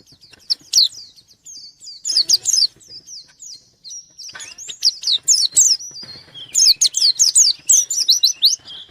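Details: Singing white-eye challenging a rival, delivering irregular clusters of high, sweeping whistles and trills with quiet pauses between, ending in a dense burst of sharp notes.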